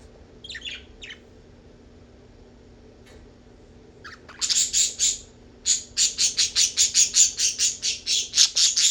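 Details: Several budgerigars on alert give sharp, high, scratchy chirps in a rapid repeated series, as if conversing.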